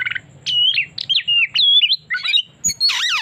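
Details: Oriental magpie-robin lure recording with rapid varied song: short whistled slurs, harsh scratchy notes and mimicry-like chatter, ending in a rough grating burst, over a low steady hum.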